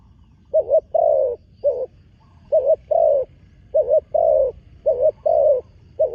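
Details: Young spotted dove on its first outing to an earthen contest ground, cooing steadily: repeated pairs of a short wavering note and a longer falling coo, about one pair each second, background otherwise quiet.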